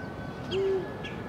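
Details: Eurasian eagle-owl recorded on 16 February 2023, giving a single deep, steady hoot lasting about a quarter second, flat in pitch with a soft onset and fade, over a low background hiss.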